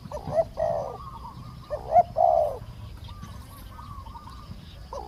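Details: Decoy trapping of spotted doves: two groups of low, burry coos start the sequence, followed by softer, fainter coos from a quieter bird, possibly the small-voiced wild captive.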